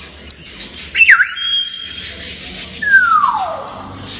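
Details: Playful talking grey parrot giving clear whistles: a high thin steady tone, a quick bent squeak, then a long smooth descending whistle, over soft background noise.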